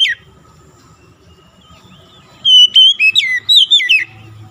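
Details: Oriental magpie-robin song aimed at getting a stressed bird singing again. A short whistle opens, low hum follows for two seconds, then a quick series of about seven bright whistles that slide downward.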